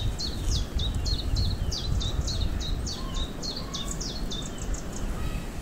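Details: Common chiffchaff at Notre-Dame-du-Bec on 25 April 2021 repeats high, sharp down-slurred notes, about two per second, in a steady chiff-chaff rhythm, over heavy low rumble and a faint second bird.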